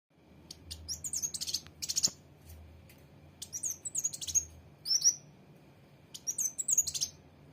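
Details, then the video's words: Sunbird, locally called kolibri wulung or mucang trotol, giving high, thin, sharp chirps and twittering trills in short bursts of rapid notes with brief pauses between, over a steady low background hum. "Kolibri wulung/mucang trotol"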